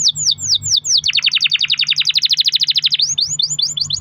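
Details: Pet canary's long-rolling song meant to provoke other canaries into singing: several descending swooping whistles, then a fast rapid trill of short repeated notes lasting about two seconds, followed by more arched sweeping notes; steady low hum underneath.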